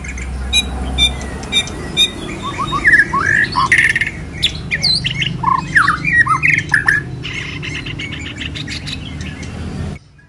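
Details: Moulting white-rumped shama delivering kéo thuốc lào song: sharp clicks and ticks mixed with short, rising and falling whistled notes in an irregular, chattering flow, with steady background hiss.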